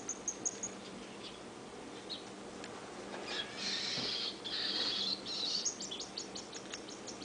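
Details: A baby whiteface cinnamon pearl cockatiel, female, being handfed, gives raspy, hissing begging bursts between thin, high chirps.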